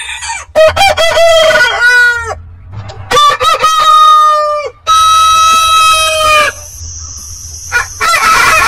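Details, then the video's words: Heritage-breed roosters crowing one after another: stuttered opening syllables followed by long, bright, level crows, three main crows, with another crow overlapping near the end and a low background hum. "Rooster Crowing"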